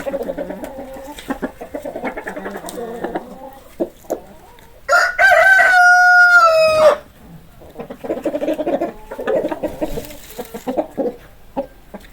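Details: A rooster's loud, sustained cock-a-doodle-doo crow lasting about two seconds, framed before and after by busy, overlapping clucking from several chickens.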